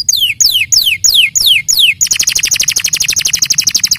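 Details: Canary song opening with five long downward-sweeping whistles, then a fast rattling trill of many short high notes.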